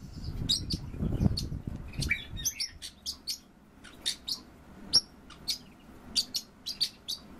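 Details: Pair of captive orioles duetting: scattered sharp high chirps and brief whistled notes at irregular intervals, with low noise and faint music behind them.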